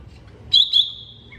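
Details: Greater green leafbird, from a songbird master recording: two sharp, bright chirps in quick succession, then a thin sustained high whistle trailing off, with a lower short note at the end over quiet background hum.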